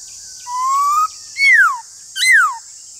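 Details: Duelling Black-throated laughingthrush: a long, slowly rising clear whistle followed by two loud downward-slurred whistled notes, a steady high-pitched hiss throughout.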